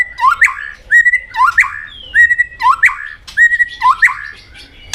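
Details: White-rumped shama, a competitive singing bird, giving loud whistled phrases: sliding notes near the middle register with sharp upward sweeps, repeated in bursts about once a second with short pauses between.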